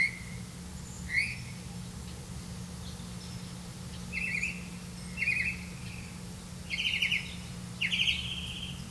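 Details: Red-vented bulbul bringing crickets to its young: scattered short buzzy, rasping notes spaced a second or more apart, growing louder toward the end, against a quiet background hum.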